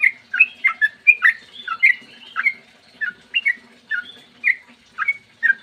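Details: Sooty-headed bulbul in the morning, its long rapid 'ropel' song used as a lure to get bulbuls singing. Spaced, bubbly whistled notes come roughly every half second, some slurred downward.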